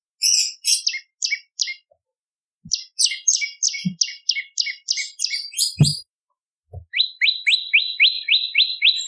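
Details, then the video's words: Bar-winged prinia (prenjak lumut) singing actively, used as a training master for songbirds and as a lure: bursts of sharp, high chirping notes broken by short pauses, ending in a fast even series of downward-flicking chips. "Masteran Prenjak Lumut ! Variasi Suara For Murai C Ijo Cungko / Pancingan Prenjak Gacor /Suara Pikat"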